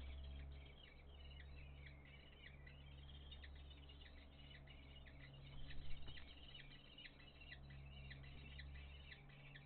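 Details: Common kestrel chicks begging, giving rapid, repeated, thin high-pitched squeals, several each second, over a steady low mechanical hum; recorded June 17, 2024, 9:31 am.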